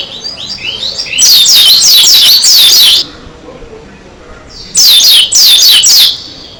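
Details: Oriental white-eye of the Dakun type, singing persistently with open beak: two loud bursts of very high, rapidly repeated squeaky sweeping notes, separated by a short quiet gap, sound heavily saturated.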